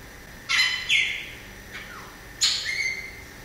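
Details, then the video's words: Variable oriole (inhapim) song: four harsh, buzzy notes over three seconds, each falling into a short whistled tail, with a faint downslurred note between them. "O canto do Pássaro Inhapim"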